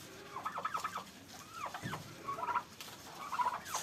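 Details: Turkeys fighting on a Pakistani farm give sliding yelps and downward-curving notes, then a short rattling gobble and further yelps, with a dull thump midway.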